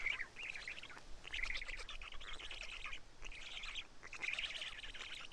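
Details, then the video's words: At the Karula black stork nest on 31 May 2017, around 12:47, with chicks eating two big fish: scratchy chattering phrases of about a second each, four or five in sequence, with low rumble beneath. "Karula Black Stork~Feeding by Karl~"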